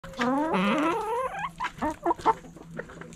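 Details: Backyard rooster crowing among hens: a long harmonic crow rising then falling over about a second, followed by short repeated clucks from hens, with a steady low hum underneath.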